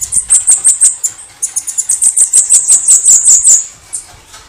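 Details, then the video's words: Bananaquit canto de foguear: a short opening run of high, thin notes, a brief gap, then a quicker, denser string of buzzy ticks ending abruptly. "CANTO DE FOGUEAR SIBITE CAMBACICA CAGA CEBO MARIQUITA"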